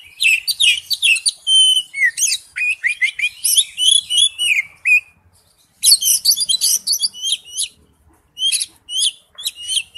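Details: Oriental magpie-robin giving wild-type forest song: a long rapid stream of varied whistled and chattering notes, a brief pause, then further fast bursts of bright high phrases.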